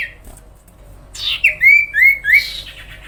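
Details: Sooty-headed bulbul, known locally as sirtu or cipow, singing energetically: a burst of harsh noise, then three or four clear whistled notes, each sliding downward in quick succession.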